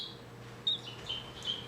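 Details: The oldest pet Bourke's parakeet, a male recovering from a stroke, calls indoors with three soft, thin, whistled notes. The notes are high and clear, spaced about half a second apart, over a low steady hum.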